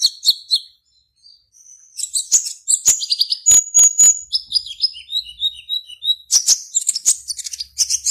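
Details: Caged konin, the black-naped oriole, in an Indonesian online singing contest from Serang, Banten: quiet start, then dense sharp ticks, a clear high whistle and a run of lower warbled descending notes.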